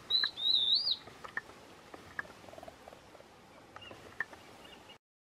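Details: Stripe-backed antbird (Myrmorchilus strigilatus) song: a loud, high, wavering whistle lasting about a second, followed by faint scattered chips and ticks against quiet background hiss.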